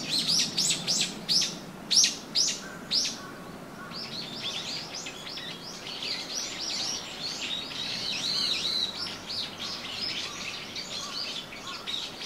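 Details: Common kestrel at Gaikotsu-yama on 18 November 2021 gives a loud, sharp 'kee-kee-kee' series of about three calls a second, then softer, thinner chattering; the background is site sound layered with separately recorded ambient sound.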